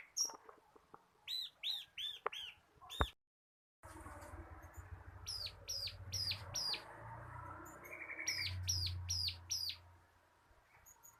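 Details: Bar-winged prinia of the local crystal type, used as a tutor for cage birds, gives scattered arched notes. After a brief dropout, further note runs sound over a low rumbling background and a short higher trill.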